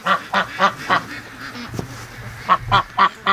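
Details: A free-range duck during the morning rush giving a rapid series of short nasal quacks, four in quick succession, a brief pause with soft background calls, then four more.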